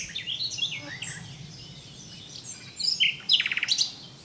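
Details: Singing common nightingale, a varied chatter of high slurred notes early on, then near the end a short loud run of quick repeated notes, with faint background bird calls.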